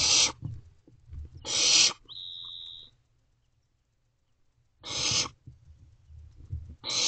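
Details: Wild barn owl owlet in a nest box at dawn, 5:11 am, 6/4/23, while swallowing a rodent: harsh rasping hiss-screeches, some long, separated by pauses, plus one brief steady thin whistled squeak and a quiet gap.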